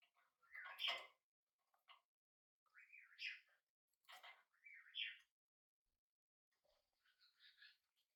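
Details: First day at home for a tame, hand-fed budgerigar chick: a burst of scratchy chatter, then upward-sliding chirps repeated a few times, fading into a soft, faint warble at the end.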